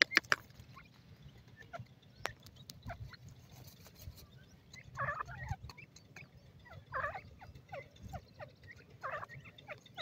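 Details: Ring-necked pheasant chicks on grass give short, downward-slurred peeps in scattered bursts, with a few brief clicks and a low background rumble.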